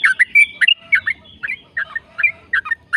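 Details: Fast, chattering 'ropel' song of a yellow-vented bulbul, a lure to set other bulbuls singing: clustered bubbly chirps and slurred whistles in rapid bursts, with brief pauses between groups.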